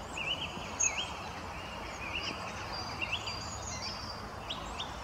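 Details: Hawfinch at Rufford Abbey on 9 February 2022, in winter, giving brief, sharp, high ticking calls, one louder than the rest, with thin squeaky notes through a steady wash of background noise.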